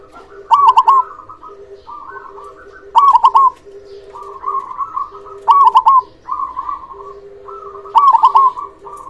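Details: Local zebra dove with a big voice singing: stuttered triple notes and soft purring trills repeated about every two and a half seconds, a faint steady lower hum beneath.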